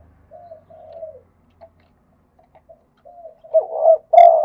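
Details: Spotted dove singing in the mixed 'khat' and 'nun' cooing styles: soft, mellow coos, then a quiet gap, then a louder run of rounded, throaty coos ending in a strong drawn-out note.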